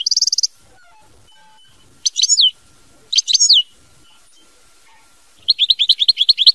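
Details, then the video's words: Mama binette style song from a European goldfinch: a fast buzzy trill, two separate downslurred twittering phrases, then a rhythmic series of sharp repeated notes. "Chant Chardonneret mama binette"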